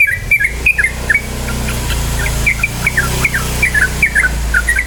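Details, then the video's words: Lure recording of a yellow-vented bulbul, played so birds start singing fast and fierce: a steady chatter of short bubbly whistled notes, dipping and rising in quick succession, over a loud low engine-like drone. "PANCINGAN TRUCUKAN BAHAN agar cepat bunyi ROPEL"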